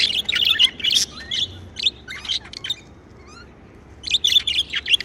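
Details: Cheerful pet budgies give busy, rapid chirping and warbling, then a quieter pause holding small twittering slides, before the dense chatter returns.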